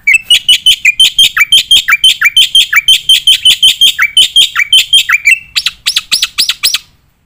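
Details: Tutor song for competition birds from a gacor black-winged myna with nembak fills: fast loud chattering phrases with downward-slurred notes repeated steadily, then a handful of harsh strident calls before quiet.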